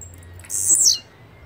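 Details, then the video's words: Blue-black grassquit (Volatinia jacarina) song: a single intense, buzzy, high-pitched burst lasting about half a second and falling away at its close, against a faint low hum. "Canto de Chirrio (Volatinia jacarina)"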